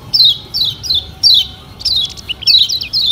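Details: Lombok yellow white-eye, kecial kuning, used as a lure song to get birds singing vigorously: a series of high, thin, descending whistled phrases about every half second, then quicker twittering notes; low background hum.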